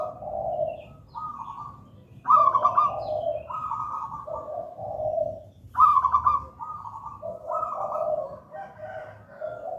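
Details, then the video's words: Zebra dove (local wild perkutut) singing gedang rojo style, used as lure and master song. Bubbling coo phrases step between a higher and a lower purring note, with fresh phrases starting about every three and a half seconds over faint rumble. "Perkutut lokal gedang rojo gacor merdu"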